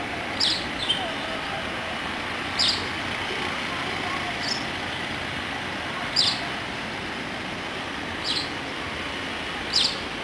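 White-browed wagtail giving short, sharp high notes about every two seconds over a steady rumble of traffic noise.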